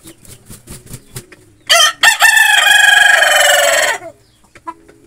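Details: Naked-neck rooster among native hens, crowing once: two short harsh bursts then a loud, sustained, buzzy cry of about two seconds that fades out. Soft repeated clucks and a low steady hum are heard before and after.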